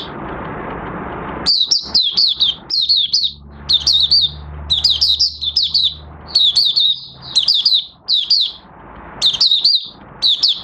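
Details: Oriental white-eye, a kept bird whose new white feathers are almost fully pigmented, recorded 30 August 2022 starting its song: rapid, high, sweet twittering phrases in short bursts with brief pauses, after a few seconds of low rumbling noise.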